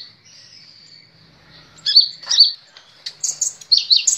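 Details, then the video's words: Kolibri Ninja sunbird from caged-bird training audio, faint thin high whistle, then a few loud sharp chirps building into quick, bright twittering. "Masteran Burung Kolibri Ninja istimewa bikin gacor ngeplong"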